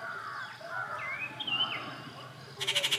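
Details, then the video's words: Rufous treepie (Dendrocitta vagabunda) at A. Kattupadi on June 19, 2021, giving mellow, slurred rising and falling musical notes, then a quick burst of about six harsh, grating chatters at the end. "The Call of the rufous treepie"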